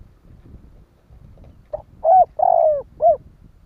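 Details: A spotted dove gives a single phrase to urge other doves to call: a faint lead note, a clear coo, a long trembling croo and a last round coo. Low rumbling fills the background.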